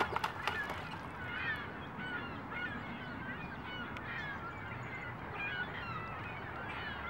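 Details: Chilean flamingos at Tracy Aviary, Salt Lake City, Utah, where one performs head-turning courtship moves, keep up a steady chorus of nasal, goose-like honks, many birds calling at once with no pause.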